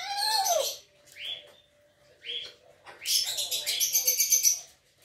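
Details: A pet grey parrot that mimics words such as "oi" and "ku-ku" and reportedly imitates a dog's barking gives a harsh, voice-like squawk, two short rising whistles, then a long raspy, crackling burst of mimicked sound.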